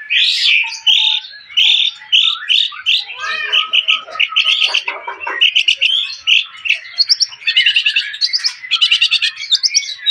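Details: Golden-coloured Javan pied starling, described as rare in colour and attractive besides its voice, singing a loud run of harsh chattering and squeaky notes, some whistled, mixed with rapid buzzy trills toward the end.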